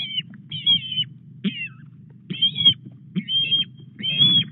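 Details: Osprey at the Llyn Clywedog nest in Wales, evening of 17 August, with a fish brought to the nest; spaced bursts of high, thin whistled chirps in short runs with pauses between, low steady rumble underneath.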